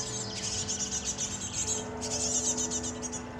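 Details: Great tit fledglings being fed by adults: a continuous stream of rapid high, buzzy chirps, about four a second, with a steady low hum underneath.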